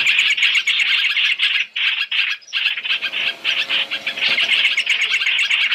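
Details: Chinese hwamei calls, a three-in-one lure mix for trapping: dense, harsh chattering notes repeated rapidly, almost without pause, with a brief break near the middle.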